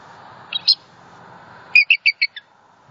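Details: Bald eagle female vocalizing in distress at her Southwest Florida nest, December 28, 2020, following a great horned owl strike on her mate. A faint pair of squeaks, then a quick stuttering run of five high chirps fading downward.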